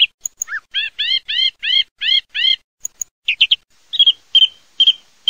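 A song thrush sings loud, clear phrases, repeating one arched, ringing note about six times in quick succession before moving to shorter whistled and chirping figures.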